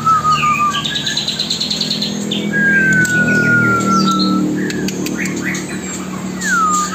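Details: Pied triller song played nonstop, day and night, to tutor white-rumped shama fledglings while the younger ones are hand-fed; a rapid high chattering trill, then long thin descending whistles, over a low background hum.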